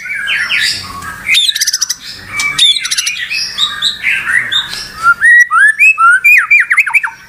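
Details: White-rumped shama (murai batu) singing nonstop after a pause, as if provoked: loud varied phrases of harsh scratchy notes, bright rising and falling whistles, fast ticking trills, ending in a run of repeated downslurred whistled notes.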